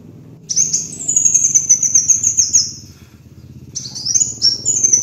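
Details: Kolibri wulung (Van Hasselt's sunbird) in a lure recording: a long, piercing, very high trill of fast pulses drifting slightly downward for over two seconds, a pause, then renewed sharp rising notes and twittering.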